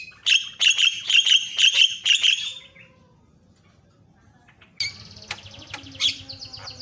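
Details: Javan myna in varied song used for training other birds: a fast string of about six harsh, ringing notes, a quiet gap, then buzzy rattling chatter and squeaks, with low hum beneath.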